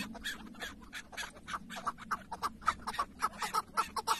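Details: Softer clucking series from a chukar partridge tethered as a decoy in a Şırnak, Turkey hunt, notes growing louder and sharper toward the end at under two per second, over a steady low droning hum.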